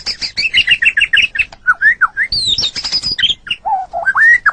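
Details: Training song of a white-rumped shama for pet songbirds: rapid chattering notes, then varied rising and falling slurred whistles and a burst of high buzzy notes, closing with rising whistles.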